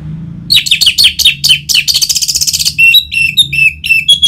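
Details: Orange-headed thrush singing, played to stimulate caged birds: fast, varied song with rapid chattering trills, sharp notes and whistled phrases, continuous and energetic, over a low background hum.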